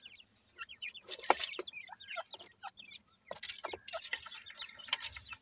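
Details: Feeding grey francolin chicks, dakni teetar, give clustered high chirps and twittering peeps. Bursts of rustling and sharp clicks sound between the calls.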